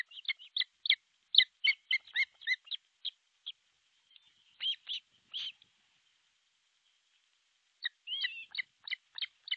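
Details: Osprey at its artificial nest, Pohjois Satakunta, Finland, 6 July 2023, midday nest-camera sound: clusters of sharp high whistled chirps separated by quiet stretches, ending in a fresh fast series.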